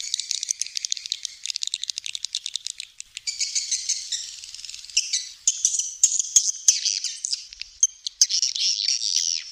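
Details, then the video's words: Swiftlets produce rapid clicking trills and high chirps, changing into denser buzzy twittering with occasional thin whistles. "suara walet"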